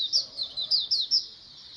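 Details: Oriental white-eyes in a colony, a recording meant to spur birds into song: five sharp, high, slurred chirps in under two seconds, bright and twittering, fading to quiet at the close.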